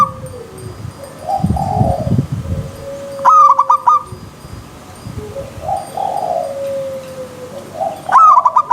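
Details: Soft, lower, gliding coos from another dove lead into two sharp staccato phrases of a wild zebra dove, quick ringing notes in a stuttering chain, with low rumbling noise beneath.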